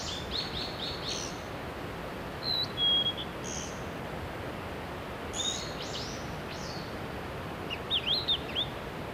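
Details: Japanese pygmy woodpecker chicks being fed at the nest in mountain country at Shimokitayama, Nara Prefecture, Japan, in the May breeding season: short buzzy, arched high notes in scattered bursts, with a few thin whistles, over steady background hiss.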